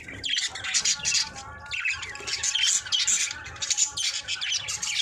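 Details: Budgerigars in a breeding or pairing setup chirping: dense overlapping squawky chatter and warbles, high and busy, several birds calling together almost without pause.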